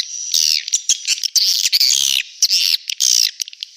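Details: High, rasping swiftlet calls played as a lure for a swiftlet house, the Manuk Ireng 01 sound; long buzzy trills with thin whistled overtones, in irregular bursts.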